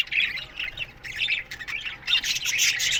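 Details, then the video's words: Aviary budgerigars chirping in the morning: a few clearer, slightly descending chirps at first, then a denser, brighter jumble of high twittering from many birds. "Budgies Morning Chirping Sounds"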